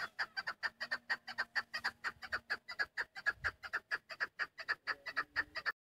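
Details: Long fast series from a female chukar partridge kept for hunting, about thirty clipped chuk-chuk clucks over six seconds at an even, driving rhythm, with a faint low hum behind.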